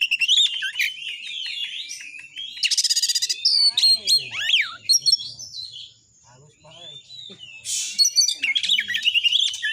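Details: Oriental magpie-robin 'tembakan' song meant to stir fighting spirit in other magpie-robins: fast twitters, buzzy rasping bursts and swooping whistles, with a quieter pause of faint low sounds midway before the song resumes.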